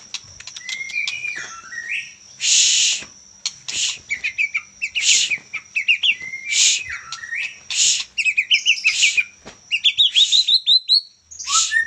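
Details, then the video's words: Young Medan-type white-rumped shama singing persistently: varied whistled phrases and slurred notes around 2–4k, interspersed with harsh, broadband rasping bursts roughly every second, plus quick rising chips; a faint steady high tone persists throughout. "Murai batu medan lepas trotol ... Gacor juara"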